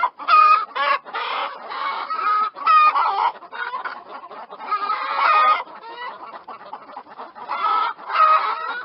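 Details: A flock of chickens clucking in an irregular stream, loud squawking bursts roughly every couple of seconds over steady background chatter.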